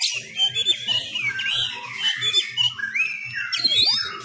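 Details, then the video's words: Sumatran Oriental magpie-robin in home training during Covid-19 restrictions, fighting-style song: fast varied whistles and rising slurs mixed with harsh buzzy notes, over steady low thumps. "Gaya tarung Kacer kacer sumatra"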